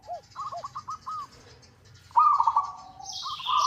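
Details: Local zebra dove calling to a rival for use as a lure: a string of short arched coos, a pause, then a loud rolling coo trill, with high-pitched chirping of other birds near the end.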